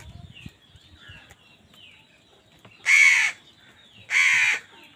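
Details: After quiet soft chirps, two loud, raw caws arrive about a second apart from a crow squabbling with wild birds over food.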